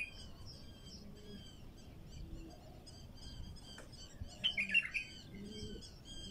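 A bulbul gives a brief burst of bright, bubbly whistled notes. A steady wash of thin, high chirping from other small birds runs underneath.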